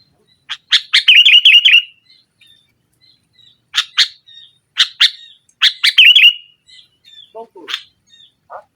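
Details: Singing kutilang, or sooty-headed bulbul, in vigorous nggaruda style to stir a silent bird. Quick harsh notes flow into bubbling warbled phrases, repeated several times, with soft faint whistles and a few lower notes near the end.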